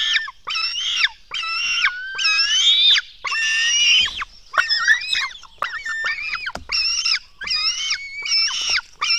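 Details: Black stork chicks begging at their Latvian nest while being fed, early morning of 24 June 2016. Raspy, strained screeches come in uneven bursts of one to two seconds, some rising then falling, with short pauses between them.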